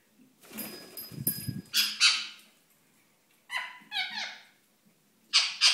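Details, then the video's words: Courting pet ringneck parakeet in a room, giving harsh screeches and a quick stuttering run of nasal notes, with a brief knocking or rustling noise near the start. "Ringneck 7Up & Pepsi - Seven beim Balzen"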